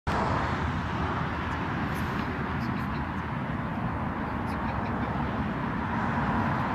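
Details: A continuous broad roar like passing traffic or a train fills the recording, with a few faint high ticks and no animal calls.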